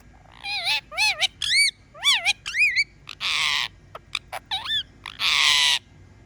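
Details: Talking pet parrot performing a run of quick wavering whistled notes, about six in close succession, then brief clicks and two long harsh rasping screeches with short chirps between.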